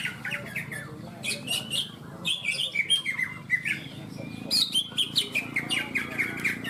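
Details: Competition of caged greater green leafbirds (cucak ijo) at Ronggolawe, Malinau, North Kalimantan; bright whistled slurs and quick chirping phrases in short bursts from more than one bird, over a murmur of people.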